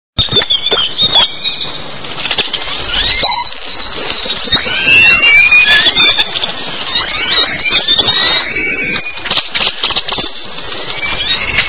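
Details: A noisy flock of Great-tailed Grackles in a raucous morning chorus at a garbage dump near Pisté, Yucatán, Mexico, giving harsh, overlapping squeals and sharp rising and falling whistles over a steady background hiss.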